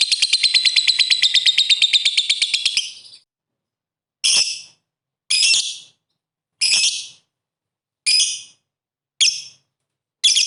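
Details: Lovebird calling in ngetik ngekek fashion to make opponent birds sing quickly: a loud rattling trill for about three seconds, then six short, harsh, high bursts about once a second.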